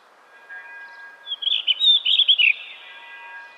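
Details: Blue rock thrush (Monticola solitarius), song.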